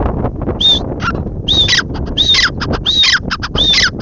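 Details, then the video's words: Teetar, the grey francolin, calls over steady low background noise: harsh, clicky phrases, each carrying a short arched whistle, repeated about five times in quick succession. "Teetar ki awaaz Teetar boli Teetar sound"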